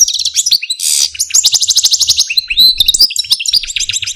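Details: Caged pet male Algerian parva goldfinch with a complex song: dense, fast twittering of high trills, buzzy rattles and rapid repeated notes, flowing without pause at close range.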